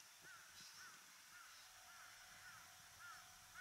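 A Bull-headed Shrike gives short, harsh, slightly arched notes, repeated about twice a second, over a steady hiss of background noise.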